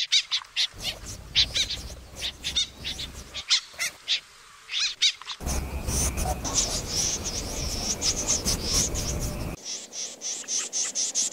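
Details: Snipe calls used as a lure for night bird trapping: short, high, scratchy notes repeated rapidly, several per second, in spliced bursts with background hiss and low rumble.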